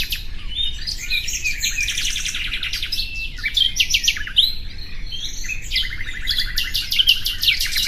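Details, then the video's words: Common nightingale song with rich, varied phrases: fast repeated chattering notes, loud whistled accents, and rattling trills that follow one another with short pauses, over a constant low rumble. "Bülbül sesi"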